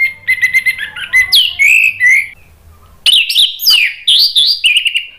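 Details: Orange-headed thrush song used as a prompt to make a caged bird sing: rich, varied whistled phrases with sliding and twisting notes, a brief quiet gap, then another tumbling burst of trills and whistles.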